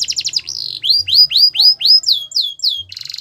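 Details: Belgian canary song with a brief rapid chatter, then a series of clear rising whistled notes about twice a second, sliding into falling slurs and closing with a buzzy trill.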